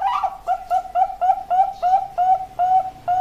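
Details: Zebra dove, Bangkok-type perkutut, with a string of short, soft coos on one pitch, each slightly upturned, spaced about every third of a second.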